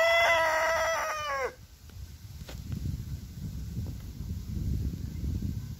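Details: Orpington rooster crowing: one loud, rich crow lasting about a second and a half that drops away at the end, followed by rustling and shuffling footstep-like noises.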